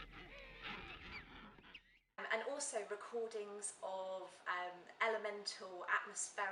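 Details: King penguin colony recorded 21 December 1961 for a study on helicopter noise and penguin behaviour: rough grunts as penguins protest at neighbours, and rich, pulsing, overlapping trumpeted display calls over constant tweeting of chicks. A woman speaks first.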